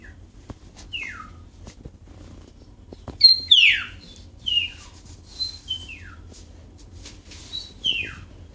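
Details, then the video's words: A pet male bulbul answers a person singing to him with clear, sharply falling whistled notes, about one each second, some with a brief sweeter lead-in, over a faint low hum. "BulBul Bird Make a Voices"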